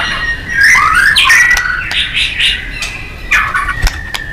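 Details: White-rumped shama song for contest-bird training, softer here: a thin sustained whistle with quick warbled and chattering notes over a faint background hiss.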